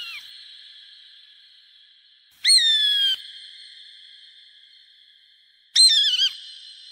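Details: Hawk screams meant to frighten birds away: two loud, rasping, falling cries roughly three seconds apart, each with bright harmonics, over a constant high-pitched ringing background.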